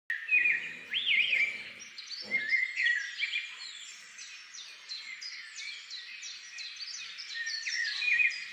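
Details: A Lutino cockatiel gives rising, looping whistles and a run of quick chirping notes over a busy background.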